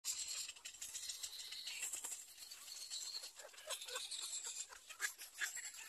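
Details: Little egret chicks at a nest give a continuous dry, rattling chatter of rapid clicks, rising and falling in loudness without pause, with faint outdoor background noise.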